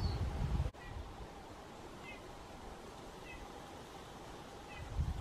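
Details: Eurasian bullfinch in a cool pine forest on 7 July 2023, with wind swaying the treetops: four soft, short, slightly falling piping notes about a second apart, over steady wind hiss with low rumbles at the start and end.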